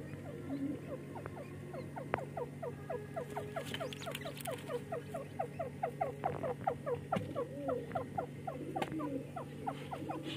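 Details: Pair of young francolin chicks fighting and playing, calling in dense runs of quick, falling chirps, many notes per second with brief pauses, a few louder clicks and a constant low background hum.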